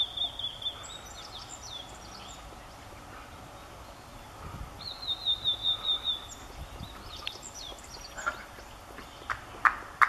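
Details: A Blue-and-white flycatcher (Cyanoptila cyanomelana) sings brief, high whistled phrases, one a quick run of about six bright notes, over a steady forest hiss; Kobe Municipal Forest Botanical Garden, Japan, sunny morning, 3 June 2014.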